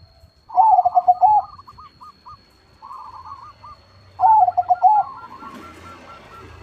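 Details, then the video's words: Big-voiced crossbred zebra dove singing actively: two loud pulsing coo phrases about three seconds apart, each followed by fading repeated notes, with soft cooing between and a faint rustling noise near the end. "PERKUTUT CROSSING GACOR SUARA BESAR"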